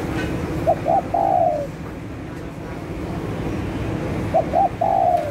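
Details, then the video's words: Spotted dove calling as a lure for catching birds: two short coos leading into a drawn-out falling coo, the phrase heard twice about four seconds apart over a low rumbling background. "Tekukur Gacor Untuk Pikat,langsung Nyaut."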